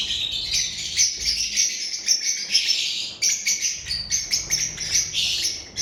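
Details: A group of lovebirds on 7 March 2025 chattering loudly, with rapid high squeaky chirps in irregular bursts, some notes piercing above the steady shrill din of the flock.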